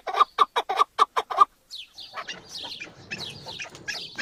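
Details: Chukar partridge (Alectoris chukar), call.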